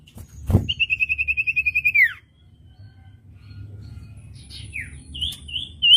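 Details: Common iora (cipoh) master recording for training songbirds and teaching newly bought young birds to sing: a rapid, even trill of about thirteen whistled notes that ends in a falling slur, then a pause and scattered sharp chirps and whistles.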